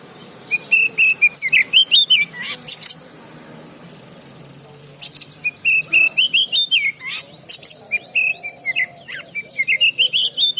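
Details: Market-trained oriental magpie-robin giving two long bouts of rapid, clear whistled notes mixed with harsh chips, separated by a quiet gap of about two seconds.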